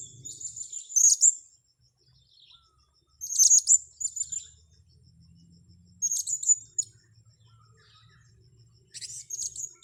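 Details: Thin, piercing high chirps of a blue-crowned hanging parrot being lured for capture, delivered in tight clusters roughly every two to three seconds, with quiet pauses between and a faint steady high tone behind.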